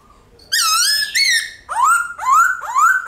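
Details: A White-cheeked laughingthrush delivers its long forest-style song: one sustained, wavering whistle rich in overtones, followed by three loud, rising-then-level whistled notes about half a second apart, over a faint background.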